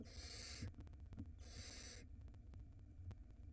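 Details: Barn owl nestling at a nest in Israel, filmed by a live nest camera in 2022, around the time it swallows a huge rat; two long, harsh, hissing screech bursts, each about half a second, over a steady low hum.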